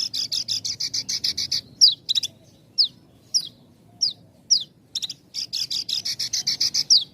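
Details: Javan bush lark song with tight pauses, used as a lure to train untrained and half-trained birds: rapid buzzy trilled bursts, then single sharp downslurred notes about every half second, then the dense trill returns.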